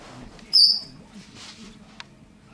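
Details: Common quail chick only five minutes old, just out of the egg, gives one loud, thin, high peep lasting under half a second, followed by near silence and a single faint click.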